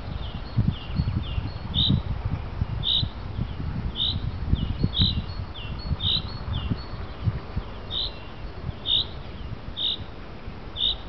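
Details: Common chaffinch calling in the afternoon: short bright call notes repeated roughly once a second over steady low rumbling background noise.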